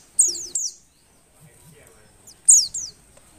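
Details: Breeding-condition female Oriental white-eye, a call meant to make idle males sing: two pairs of sharp high downslurred chips separated by over a second of near silence, with faint low background murmur.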